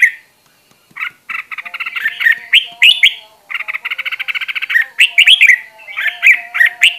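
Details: Fired-up red-whiskered bulbul in a cage, kept as a decoy to train voices, mixing rapid rattling trills with bright, slurred whistled phrases, the trills lasting a second or more and the phrases rising and falling.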